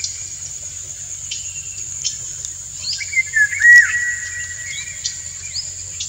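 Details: Male Indian golden oriole singing a courtship song to stimulate a dancing female; a drawn-out fluty whistle, mid-pitched and slightly wavering, over a steady shrill insect drone and low rumble.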